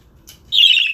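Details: Pet budgerigar indoors, a single harsh, buzzy chirp lasting about half a second after a quiet start.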